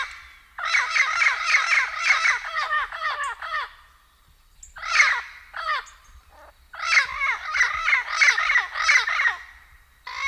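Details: Turquoise-fronted amazon (Amazona aestiva) gives bursts of harsh, squawking, rapidly repeated notes: two long runs of about three seconds each, with a brief squawk between.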